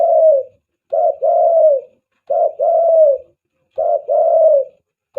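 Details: Spotted dove cooing for use as a dove lure: a brief low note followed by a drawn-out, slightly falling coo, the pair repeated steadily roughly every one and a half seconds against silence.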